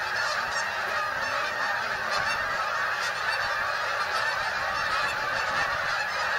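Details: Steady, crowded honking from a big flock of migrating geese settling into Bombay Hook National Wildlife Refuge, Delaware, USA, voices overlapping into one continuous rushing chorus.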